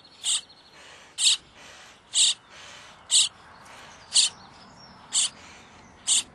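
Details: Common starling young begging while being fed, repeating loud, noisy rasps at an even pace of about one per second, with fainter hissing between them.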